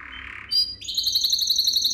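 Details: Canary song meant for training young canaries: a brief mid-pitched rattle, then a sharp high note, then a fast, bright, high trill of repeated whistled notes.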